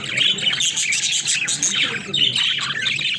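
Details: Pet budgerigars playing in their cage, a flock chattering nonstop with dense overlapping chirps, squeaks and warbles, high-pitched and busy, with no pause across the stretch.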